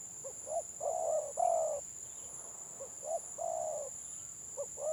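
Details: Spotted dove in stuttering 'gagap' song, village bird of the gelang patah type: clipped hiccup notes followed by two drawn-out low coos, then another stammered phrase, over a steady high-pitched electronic tone.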